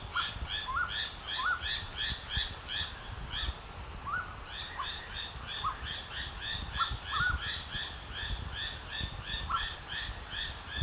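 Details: Striated laughingthrush in the Himalaya, calling while puffing out its throat: short rising whistled notes repeated at irregular intervals, over a steady pulsing chorus of rich, buzzy harmonic notes and low rumbling background noise.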